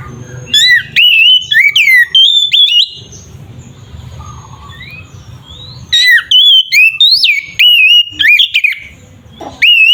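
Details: Oriental magpie-robin (kacer) in 'ngeplong' song, used as a lure to make other magpie-robins aggressive: two loud bursts of fast, wavering whistles and abrupt chirps about five seconds apart, with a quiet humming gap between.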